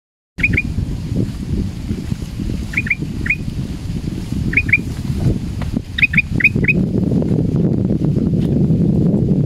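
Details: A male Sooty-headed Bulbul, said to be frightened while hung at a cliff edge, gives quick, sharp rising chirps, mostly in pairs, in short scattered bursts over a heavy, constant low rumble like wind; used as a lure sound.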